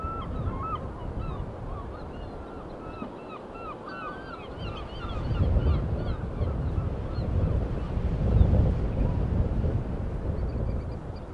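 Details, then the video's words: Seaside gulls cry in a dense burst of quick, bending calls for about five seconds, then fall quieter as the roar of breaking waves swells. "Seagull Sounds"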